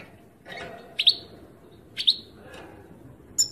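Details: European goldfinch, 2018 recording: two sharp bright chirps land exactly one second apart, each sliding into a short ringing tail, then a faint high tinkle closes the phrase against steady low hiss.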